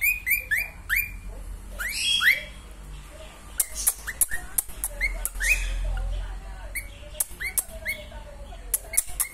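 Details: Female cockatiel singing: a run of rising whistled notes repeated several times in the first seconds, then scattered chirps and clicks over a low background hum.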